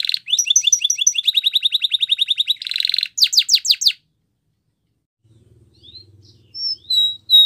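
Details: Spanish Timbrado canary song for training: rapid repeated chirping trill with a buzzy roll, a few steep rising whistles, then a quiet gap with low rumble and scattered high notes.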